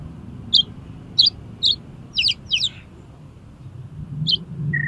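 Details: Kacer (Oriental magpie-robin) singing as a lure for contest birds: spaced high buzzy chips, then doubled scratchy notes, and a short low whistle at the end, with a steady low hum underneath.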